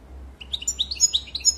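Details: Goldfinch twittering in a short fragment: quick chirping notes stepping up and down in pitch, about eight bright syllables in under two seconds, low background hum.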